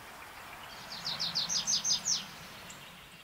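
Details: Tree pipit singing a brief strophe while perched on the ground: a short burst of seven or eight high, sharp downslurred notes lasting about a second, over a low rumbling hum and background hiss.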